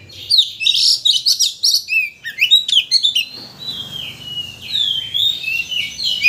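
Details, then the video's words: White-rumped shama, a lure recording meant to excite a shama into singing its full repertoire: dense bursts of sharp chirps and slurred whistles in the first three seconds, then softer drawn-out rising and falling whistles. "Pancingan Kacer Untuk Menaikkan Emosi Agar Mau Bongkar Isian"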